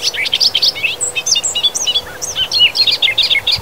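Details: Bobolink in Wisconsin grasslands and fields giving its bubbling, gurgling song, a dense, continuous jumble of high twangy, metallic notes and quick slurs pouring out without pause.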